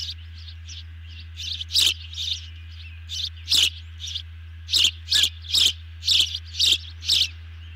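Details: Evening feeding at an osprey nest, 18 June 2020, two birds fed a big dinner; soft high calls build into loud, evenly spaced piercing chirps about twice a second, with a steady low hum beneath.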